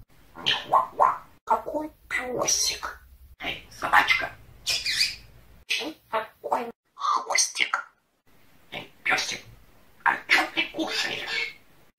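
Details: Foul-mouthed pet parrot talking with its owner indoors: rapid bursts of raspy, voice-like chatter and squawks alternate with the man's speech across the recording.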